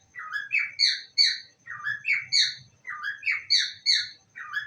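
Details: Pet parrot saying I love you indoors: raspy, chirpy three-part phrases, each rising then falling, repeated roughly every 1.2 seconds with short pauses between them.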